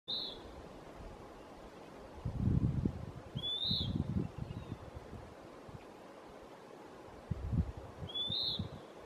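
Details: Western wood pewee (Contopus sordidulus) singing at Lawrence E. Wood Picnic Area: high burry downslurred notes repeated three times, roughly every four seconds, over low rumbling bursts of wind or handling noise.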